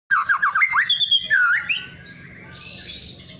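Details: Young white-rumped shama learning to sing, a fledgling practising song and opening its bill. A rapid run of rising and falling whistled slurs, then a long, thin, fading tone over steady low background hum.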